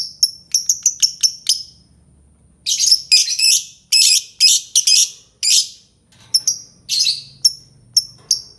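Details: Albino lovebird giving sharp, high chirps in quick series, then a run of harsh buzzy chattering bursts, closing with spaced single shrill chirps.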